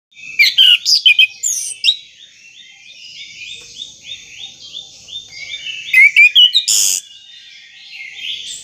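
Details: Orange-headed thrush, a caged contest bird, singing as a prompt to get a stuck bird to start: loud bursts of sharp chirps and whistles, then a quieter run of rapid rising notes, and a final burst of loud high notes.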